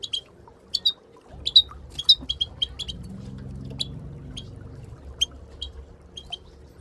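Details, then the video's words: Moroccan goldfinch calls, given as female or group calls to stimulate silent goldfinches to sing: short, bright twittering call notes in irregular bursts, roughly two a second, over a low steady hum. "ترويض طيور الحسون بتبتات المقنين لتحفيز المقنين بتبت حسون للتدريب"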